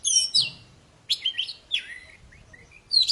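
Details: Lively poci, an Oriental magpie-robin, singing to coax quiet birds into song: a rich burst of high whistles, then two scratchy, sweeping phrases, faint soft notes, and a final bright whistle.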